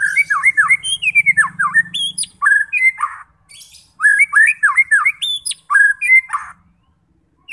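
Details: White-rumped shama in full song, played to goad fighter shamas into singing and showing their repertoire: two bouts of fast, varied whistles, slurs and harsh squawky notes separated by a short pause.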